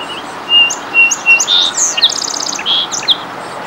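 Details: Song sparrow singing on territory at Minnesota Valley National Wildlife Refuge: three clear opening whistles, a rising buzzy note, then a fast metallic trill and closing chips, with steady background hiss.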